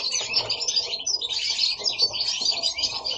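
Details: Pet goldfinches singing at home, several voices overlapping in a steady high tinkling twitter of rapid liquid notes and buzzy trills without a break; Italy.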